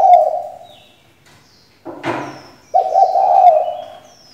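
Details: Decoy female spotted dove cooing to stir males into song: a fading low coo, a soft knock or rustle, then a fresh rough, steady coo near the end, with faint high chirps from other birds in the background.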